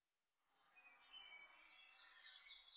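A hazel grouse gives faint, very high, thin whistles that sound drawn out and slightly wavering.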